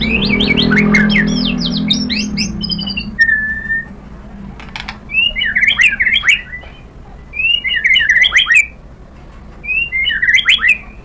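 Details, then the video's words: White-rumped shama song used to lure other shamas into singing: quick high chattering phrases, a lone mid whistle, then three bursts of rapid rattling warbles spaced by pauses, with some clicks between. "KICAUAN MURAI BATU memancing BUNYI jadi NYAUT GACOR BONGKAR MATERI | PANCINGAN MURAI"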